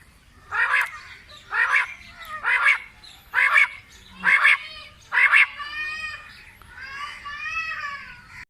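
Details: Quail (batair) giving a series of six harsh, buzzy notes roughly one per second, followed by softer harmonic nasal wavering sounds at the end.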